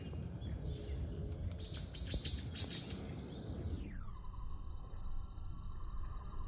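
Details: Common kingfisher at Zenpukuji Park, Japan, recorded by smartphone with a telephoto lens: a brief run of faint, thin, sharp high piping notes amid low background rumble.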